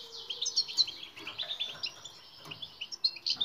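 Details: A European goldfinch sings continuously for a recording used to train silent goldfinches, a rapid jangling stream of high liquid twitters and trills without pause.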